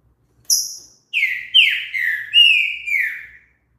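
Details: Green-winged saltator delivering its song, intended to stimulate another bird to sing: a thin high opening note, then five strong slurred whistles, some dropping and some level, in a smooth phrase.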